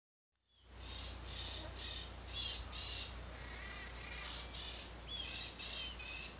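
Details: Peach-fronted Parakeet calling, a series of harsh, buzzy screeching notes repeated about twice a second over a low steady hum, with a few thin whistled notes mixed in.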